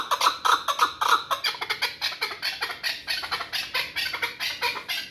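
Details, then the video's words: Pamir hunting chukar partridge calling in quick, throaty clucks that start loud and clear, then continue as a slightly softer, dense series of repeated notes. "Кабки шикории Помир"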